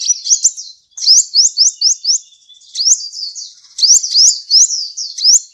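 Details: Sunbird (kolibri ninja) recorded as a tutor song for training magpie-robins and white-rumped shamas: thin, high rising slurred notes given in quick runs of three to five, broken by brief pauses, clean with no background noise.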